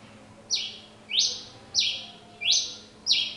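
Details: Pileated finch singing a lot, giving five strong rasping notes that each sweep downward then hold a broad buzz, delivered at a steady pace of roughly one every 0.6 seconds.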